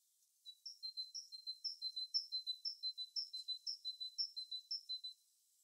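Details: Birds in their natural habitat: a clean, very regular sequence of high two-note chirps, about two per second, repeated about ten times and then stopping.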